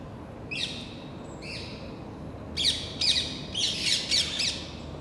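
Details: About ten overexcited rose-ringed parakeets mobbing a red squirrel crossing a row of plane trees in the Versailles palace gardens, France; a few spaced harsh squawks, then a denser run of shrill, rasping calls.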